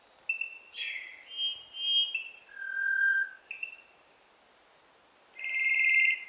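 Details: Cuban Solitaire recorded near Viñales, Cuba, in 2015, singing continuously with pure, flute-like whistles: a run of high, varied notes, a lower sliding tone, then a long ringing whistle after a pause.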